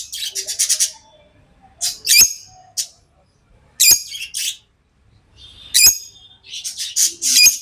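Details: Pet lovebirds give bursts of shrill, rasping chirps and squeaks in clusters, with short pauses between, some notes sharp and clicky, others buzzy and drawn out.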